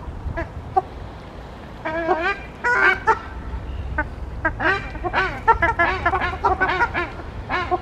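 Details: Ruddy shelduck pair with their young, squawking: a busy run of harsh, nasal honks and squawks, often doubled or tumbling together, repeated through the recording over low rumbling background.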